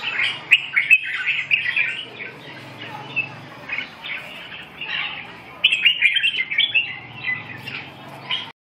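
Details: Red-whiskered bulbul pouring out dense, chattering warbled phrases, a brief quieter stretch midway, then a renewed loud run of rapid bright notes.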